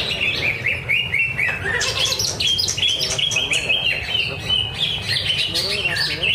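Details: Greater green leafbird competing at a Thursday practice singing contest at Danau Bumi Restu, Cikunir. Dense, scratchy chatter mixed with short whistled upslurs and fast mimicking notes, over low steady noise.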